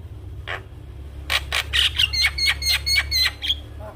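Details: Javan myna (jalak kebo) in full song, a burst of harsh chattering notes mixed with short whistled figures repeated about twice a second, over a steady low hum.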